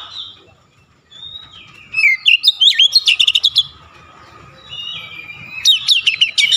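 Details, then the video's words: Oriental magpie-robin in "nembak" shooting song, showing off its repertoire: a long whistle, twisting slurred notes, then a fast barrage of piercing chips, with a second burst near the end. "KACER NEMBAK NEMBAK BONGKAR ISIAN"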